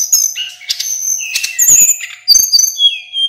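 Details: Loud, continuous song of a male local mountain sulingan used for tutoring other birds: bright high whistles, rattling chips and slurred descending notes packed densely together, recorded close and clear without background sounds.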